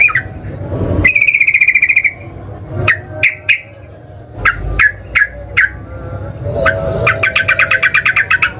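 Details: Sooty-headed bulbul singing a fighting song intended to make rivals reply: a buzzy rattle, a run of separate sharp, liquid notes, then a long rapid rattling trill.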